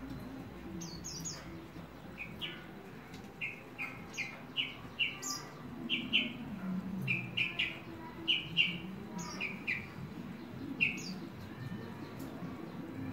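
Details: Horsfield's bush lark, known locally as branjangan: scattered short chirps and paired twittering notes, irregularly spaced across thirteen seconds, over a faint background hum.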